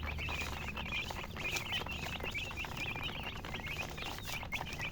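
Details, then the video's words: A group of baby chicks chirping: quick, piercing peeps, some rising and falling, packed closely together throughout, with a faint low hum early on. "Chicks Chirping"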